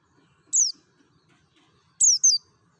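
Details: Piercing downward-sweeping chirp followed after a pause by a quick double chirp, a mountain white-eye from Merapi giving its wild-style lure song in a quiet setting.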